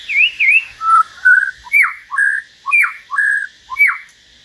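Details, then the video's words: Common hill myna singing solo in turn with a white-rumped shama: loud clear whistles, a wavering rising-falling pair of notes, then sharp downslurred notes and flat whistled notes alternating about every half second. "Chim nhồng và choè lửa hót solo"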